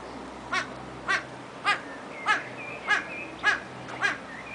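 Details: Satyr tragopan singing in captivity at Artis zoo, Amsterdam: seven short, harsh, wailing notes with a crying quality, delivered evenly about every half second over a faint steady background hum.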